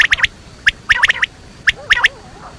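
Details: Quail, locally called batair, giving sharp clipped notes in quick groups of two or three, the groups spaced about a second apart, with a faint lower warble near the end.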